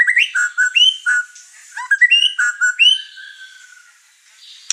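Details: White-rumped shama, over-excited and unloading its song repertoire, agitating other birds in the same house; clear whistled phrases, some rising and some falling, with upward-sweeping notes, in short bursts then a fading trill.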